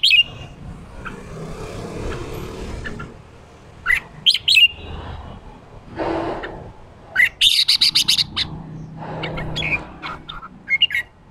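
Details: Red-whiskered bulbul in 'ché' style, a male used to stir a newly caught bird into singing. Sharp whistled notes and rapid chattery bursts mix with broad rustling noise and background hum.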